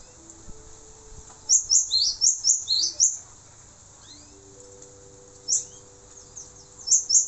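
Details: Singing male cinereous tit, kept as a tutor recording for songbird training: a rapid series of shrill, high descending notes, then a pause with a few soft chirps, and another short high-pitched burst near the end; steady low hum behind.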